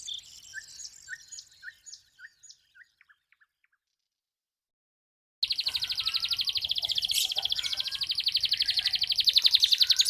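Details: Local red canary, a lively singer kept as a song tutor for young birds: sparse high chirps fade out, then after a gap a dense, rapid trilled song rolls on at a fast steady pulse.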